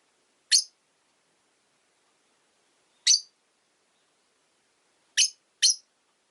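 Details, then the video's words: Caged Rosy-faced lovebirds by a window in winter, part of a flock of five, make sharp, piercing single chirps spaced a few seconds apart, ending with a quick pair, over a quiet background. "Lovebird Chirping Sounds"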